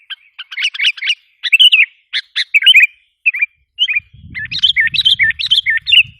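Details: Sooty-headed bulbul lure call meant to excite wild bulbuls: rapid buzzy chatter, then bubbly warbled phrases and sharp chips, with a low rumbling background noise in the final two seconds.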